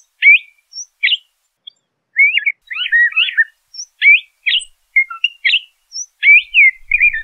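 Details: Song of the LeConte's thrasher, made up of repeated pairs of sharp upslurred whistles and scratchy warbled phrases, separated by brief silences, against a quiet background.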